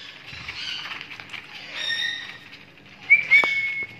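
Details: Creamino Rose-ringed Parakeet (Psittacula krameri) chicks give raspy, hissing bursts twice, then a thin, high, drawn-out whistle near the end.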